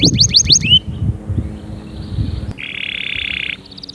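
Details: Canary song played to stir other canaries into singing: a quick run of high rising chirps, a pause with low rumbling, then a second-long buzzy sustained trill and a brief high twitter at the end.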